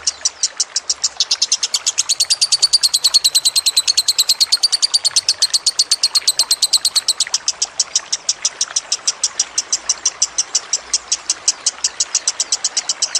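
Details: Extended lovebird masteran: a dense, rapid stream of high chirps, about three per second, for over thirteen seconds, with the notes blurring into a buzzier trill near the start and then steadying.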